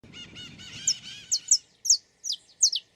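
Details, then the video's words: Saffron finch singing in the wild: after a low murmur of background noise, a run of sharp, high chirps, each sliding downward, comes in quick pairs and singles. "Som do canto do pássaro Canário da Terra"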